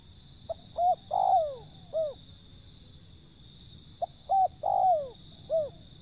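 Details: Wild zebra dove calling: two phrases about three seconds apart, each a quick click, two short arched coos, a long falling slurred note and a final arched coo, mid-pitched with a steady background hum.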